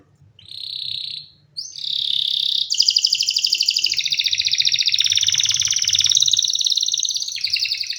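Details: Canary song: a brief high whistle, a short pause, then a long fast trill that holds steady and later spreads downward into buzzy, rattling rolls, ending in a brighter high trill.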